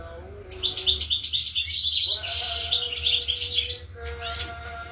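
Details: European goldfinch in a dense, high twittering song of quick liquid chirps and buzzy trills, running almost continuously over a faint steady tonal hum.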